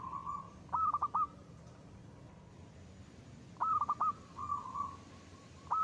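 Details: Local zebra dove, a lure bird with crisp 'ngristal' voice, heard against faint hiss: two bursts of four rapid bright notes several seconds apart, the second trailing into a soft trill.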